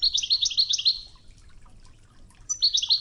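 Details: European goldfinch singing in Wedani style on a training tape set to murmuring river water: fast, tinkling twittered phrases with rapid high notes, a pause of about a second and a half, then another burst; faint low water rush throughout.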